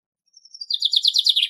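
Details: Common chaffinch song from the Greek countryside, a short phrase opening with thin high notes, then an accelerating descending series of repeated chipping notes, each fuller than the last, cut off at the end.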